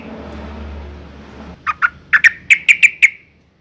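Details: Breeding-condition female sooty-headed bulbul calling males, a sound used as a lure to make males sing: after a low rumble, a string of about eight loud, sharp notes, starting slower then quickening, ending in a fading tail.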